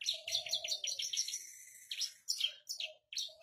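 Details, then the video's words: A captive Javan bush lark sings steadily while perched on a rock, pouring out a fast, rolling stream of high, sharp chirps and trills with brief pauses, plus a faint low hum early on. "Branjangan Javanica Gacor Istimewa - Ngerol Anteng"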